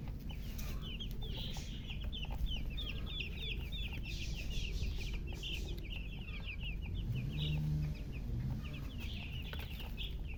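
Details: Just-born chicken chicks piping loudly, a busy stream of rapid high peeps from many chicks over ten seconds, with a brief low humming tone near the end and steady background rumble.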